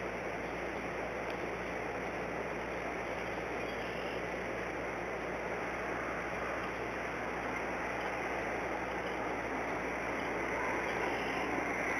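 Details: Steady broadband rushing noise, like wind or running water, with no animal calls standing out.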